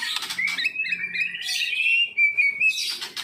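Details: Kept Medan-type white-rumped shama under song training: a sustained mid-pitched warbling trill rising slightly, with a clear whistled note near the end and some background hiss.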